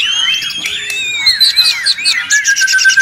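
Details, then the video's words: Oriental magpie-robin (murai batu) in a noisy song for training songbirds: long clear whistled notes and rising slurs, then a burst of rapid buzzy chatter near the end. "Murai ribut Sangat berisik. dijamin nyaut bongkar materi."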